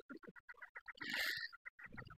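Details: One of a pair of chukar partridges just released by locals at Tanglae hills, Baffa, calls with quick, hoarse clucking notes, broken by a brief rushing burst, perhaps wingbeats, before the clucks resume and the birds fly off.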